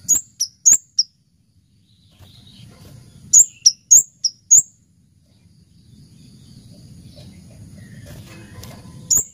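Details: Repeated phrases from an Orange-headed thrush: two separate bursts of three or four thin, high-pitched whistles, broken by gaps of low background hum, with a single whistled note at the end.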